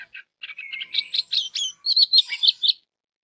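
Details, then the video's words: Orange-headed thrush song played to draw singing from other birds of its kind: a dense, fast run of whistled and chirped notes, slurred phrases rising and falling, ending abruptly after under three seconds. "DENGAN SUARA ANIS MERAH INI 99% ANIS MERAH AUTO BUNYI DAN SINGSET"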